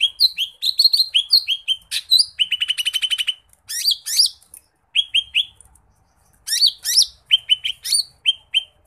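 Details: Energetic lesser green leafbird song full of fill-in phrases: upslurred and downslurred whistles, a fast buzzy rattling series and bursts of chirps, with short pauses between phrases.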